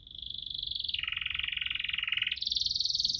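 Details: Canary's continuous rolling 'ngerol' trill, used to coax silent canaries: a steady fast buzzy roll that dips lower mid-phrase and then jumps to a higher, thinner roll.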